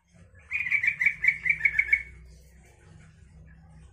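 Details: A single rapid bubbling phrase from a yellow-vented bulbul, its song used to make other bulbuls answer and sing; about eight quick liquid notes over one and a half seconds, then low background hum.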